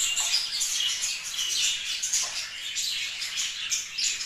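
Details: Dense, unbroken twittering from kept budgerigars, many thin high chirps and squeaks running together.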